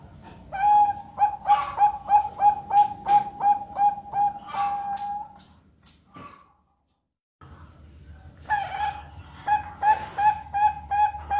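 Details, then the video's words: Learning to sing, a two-month-old Bangkok zebra dove chick in captivity pours out a long, rhythmic series of short, clear coos about three per second, breaks off with a clatter, then resumes the same steady run. "PERKUTUT BANGKOK PIYIKAN 2 BULAN BELAJAR BUNYI"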